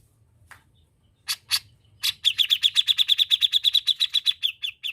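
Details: Grey-cheeked bulbul, known as cucak jenggot, singing gacor-style: a few scattered sharp notes, then a long fast string of roughly twenty bright, evenly repeated chattering notes.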